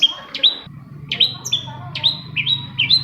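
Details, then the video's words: Long-tailed shrike song used to prompt other shrikes to sing: bright whistled notes near the upper range, several rising slurred phrases repeated about twice a second, with a low steady hum underneath. "CENDET MACET SUSAH BUNYI PASTI NYAUT KETIKA MENDENGAR TOETAN BURUNG CENDET INI"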